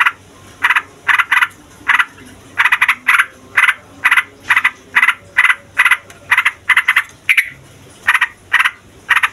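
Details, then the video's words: Yellow-vented bulbul, described as a 'fighter' with a long rolling song used to provoke other songbirds and lure wild birds. Short harsh chattering bursts come singly or in quick pairs, with irregular gaps of under a second. "TRUCUKAN FIGHTER NGEROLL PANJANG BIKIN SEMUA JENIS BURUNG OCEHAN EMOSI"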